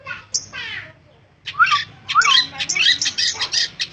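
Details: Long-tailed shrike, singing persistently: a whistled note and rising warble, then a quick busy stream of harsh chattering and squeaky notes.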